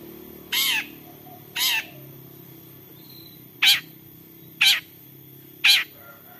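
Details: Long-tailed shrike giving a lively 'toet toet' call, used as a lure so other shrikes join in singing: five harsh, sharp, buzzy notes about a second apart, the first two fuller and longer, over a quiet low hum.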